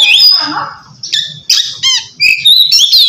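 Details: Oriental magpie-robin singing ngeplong style to call a rival and lure silent birds to sing; a long whistle, then short separated notes with sweeping and stacked tones, about one per half second.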